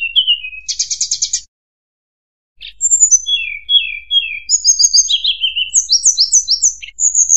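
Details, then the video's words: Tledekan gunung, a flowerpecker, used as a lure sound for trapping: high, thin chirps and short descending whistles, a buzzy rattled burst, a pause of about a second, then rapid varied sharp notes and trills. "suara pikat MP3 tledekan gunung"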